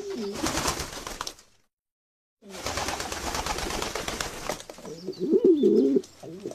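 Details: Domestic pigeons give low, throaty coos rolling around a soft, warbling pitch, several in quick succession, with broadband rustling noise and a brief silent gap.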